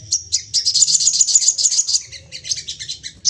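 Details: Excited crested jay sounding off again and again to prompt others to call: dense, high-pitched chattering with rapid sharp notes throughout, tapering into looser chirps.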